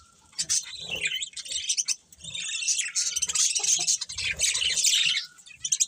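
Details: Budgerigar chirping rises from a quiet start into busy, high warbling chatter with whistled notes, with faint low background rustles.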